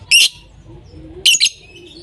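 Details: Two loud shrill squawks from a lovebird, the second one doubled, about a second apart over a faint low hum.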